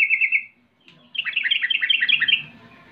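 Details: Sooty-headed bulbul lure song in rolling style, used to taunt rivals so other bulbuls answer at once; a brief buzzy trill, a pause, then a quick run of bubbly, warbled notes.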